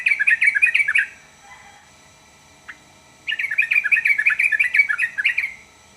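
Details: Yellow-vented bulbul song meant to make other bulbuls answer: two bubbling, chattering bursts of rapid warbled notes, each about a second or more, separated by a quiet gap, with a faint high hum in the background.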